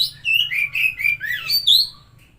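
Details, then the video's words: Oriental magpie-robin singing, a recording meant to stimulate a stressed or non-singing bird; a fluent string of clear slurred whistles, dipping then rising, ending in a bright high note. "Pancingan Suara Burung Kacer Macet/Stres"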